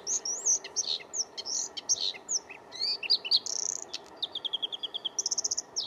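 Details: Spring song of a Bluethroat: a rich medley of high whistled slurs, buzzy rattles and mimic-like notes, ending in fast evenly repeated ringing notes, sung close with little background noise.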